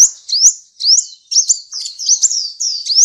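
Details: Sunbird song from a master training recording for cage birds: thin, very high upslurred whistles and sharp chirps in quick bursts, separated by short pauses.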